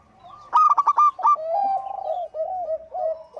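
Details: Local zebra dove giving one burst of rapid, high staccato cooing notes, then a run of lower, smoother rolling coos trailing off.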